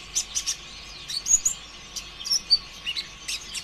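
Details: Konin ijoan, a sunbird, singing as a lure recording for other sunbirds. Spaced bursts of sharp, very high chirps and short thin whistles, roughly two or three per second, with small gaps between them.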